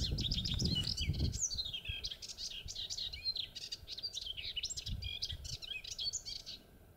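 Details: Melodious warbler in song in the Mayenne countryside, France, 30 May 2022, late morning, recorded handheld at full zoom: a long, rapid babbling run of high, varied twittering notes, with low rumbling handling noise at the start.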